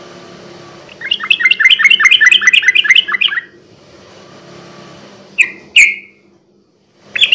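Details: Yellow-vented bulbul (trucukan) recording to lure untamed birds at night: a quick chattering burst of chirps, a lull, then two isolated sharp slurred notes.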